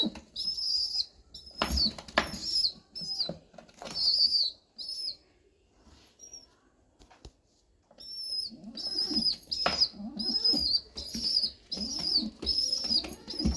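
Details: Hungry pigeon chick being fed by regurgitation: bursts of high thin squeaks repeated steadily with feeding scuffles and rustling between them, a quiet pause mid-way, then renewed rapid piping.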